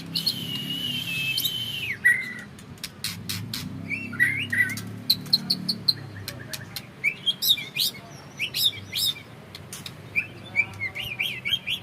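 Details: Bred white-rumped shama of the Trah Jawara line with a Vegas BF ring, kept in captivity and singing in long bursts. Scattered sharp chirps, clicks and brief whistled notes fall over a low background hum.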